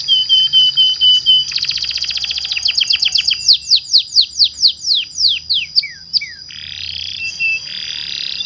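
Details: Canary delivering a long rolling song to prompt other canaries: short whistles, a rapid dense trill accelerating, a series of downward-sweeping whistled notes spaced about every third of a second, then buzzy phrases.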